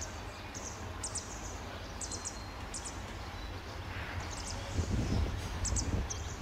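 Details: Grey Wagtails feeding young among gravestones in St Mary's Church graveyard, Hitchin town centre, in June 2014 give sharp, very high double 'tzit' notes every second or so, over a steady low rumble of town traffic.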